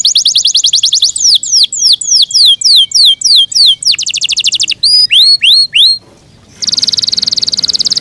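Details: Loud Yorkshire canary song from a bird kept by its owner: rapid trill, a series of falling sweeps, another trill, rising swoops, a brief pause, then a high buzzy rattling trill.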